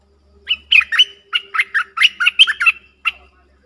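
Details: Streak-eared bulbuls dueling fiercely in song, 30 October 2021: fast, harsher chattering notes in quick bursts, squawky and bubbly, roughly four per second for over two seconds, then a final single chirp.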